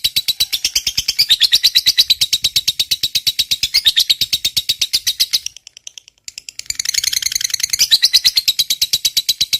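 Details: Long ngekek trill from a fighter lovebird, used as a lure to provoke rival lovebirds. A fast, steady chatter of high pulses runs for over five seconds, stops briefly, then resumes just as quickly.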